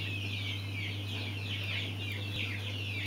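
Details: Several mountain quail chicks peep at once. The short, high, slightly falling chirps run together in an unbroken twittering stream above a constant low hum.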